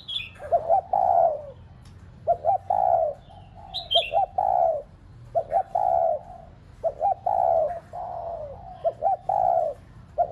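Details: Spotted dove decoy cooing to stimulate pet doves, with a steady series of phrases: quick paired notes, then a drawn-out coo sinking in pitch, about every two seconds. Short high chirps from another bird are heard early and midway.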